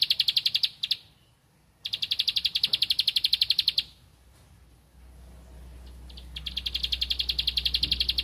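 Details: Bar-winged prinia singing energetically while seeking a rival: rapid, evenly spaced high chips about ten per second in bursts of one to two seconds, with pauses between and a low hum underneath.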